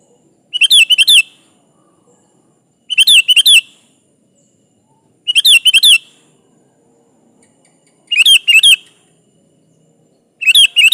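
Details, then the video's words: Lively kutilang, the sooty-headed bulbul, in full song used to lure and call a rival: short bubbly phrases of four or five chirpy, warbling notes, repeated about every two and a half seconds with quiet gaps between. "di Pancing Suara burung kutilang gacor ini Ampuh memanggil lawan"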